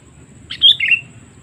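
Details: Sooty-headed bulbul lure call for calling wild birds in: one brief, clear phrase starting high and sliding into lower rolling notes, half a second long, over soft background rumble.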